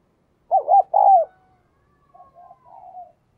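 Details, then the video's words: A spotted dove opens with two short wavering coos and a long, drooping note. Fainter answering coos follow. "cu gáy"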